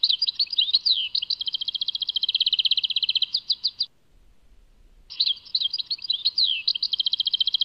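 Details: European goldfinch singing in the Tadmait style: bright jumbled twitters leading into a long, rapid, metallic trill, a one-second silence, then another tinkling, chattering phrase.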